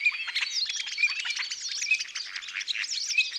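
Common Starling song: a dense, unbroken jumble of clicks, rattles, squeaks and thin whistles, with a short bright whistled note about once a second.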